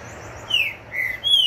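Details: Green-winged saltator following its moult sings clear whistled notes, a drawn-out falling tone, a lower short note and a final bright whistle, cut off abruptly.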